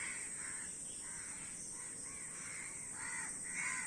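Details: Many crows calling together, harsh nasal caws overlapping in a steady chorus, several rough calls a second, with a constant high hiss behind.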